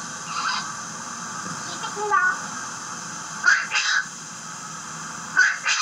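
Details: A female Eclectus parrot, recorded in 2003 in Hong Kong, gives short, harsh, voice-like squawks in brief bursts every one to two seconds, over a steady background hiss in a small room.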